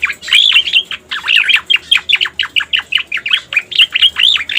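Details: Cica koreng (striated grassbird) song from a masteran lure track: evenly spaced bursts of arched, looping whistles and sharp chips, roughly three or four phrases per second, clear and forceful.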